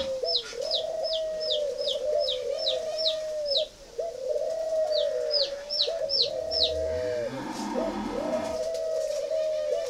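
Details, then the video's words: Mỏ đinh-type spotted dove from a bird farm in Ba Vì, Vietnam, cooing in a near-continuous run of level, hoarse notes. Quick high chirps tick steadily above at first, with a brief burst of rougher, clucking noise late on. "Giống chim cu mỏ đinh"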